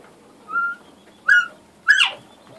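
A Northern bobwhite gives its clear whistled bob-white: two short level whistles, then a louder, sharply rising final note. No other sounds stand out.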